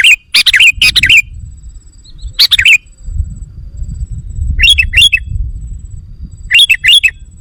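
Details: Bubbly, liquid whistled phrases of a sooty-headed bulbul, used to lure wild bulbuls, come in loud clusters of two or three, repeated four times, over a low rumble and a thin steady high tone.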